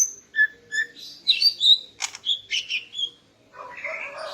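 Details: Morning singing by a female greater green leafbird to arouse the male: clear whistled notes and slurred chirps in a varied sequence, followed by a rough, noisy rasping stretch.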